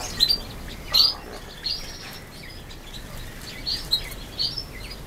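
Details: Day-old quail chicks, brown, in October 2014, peeping high and sharp, with quick clusters of chirps at irregular intervals and softer twitters between them.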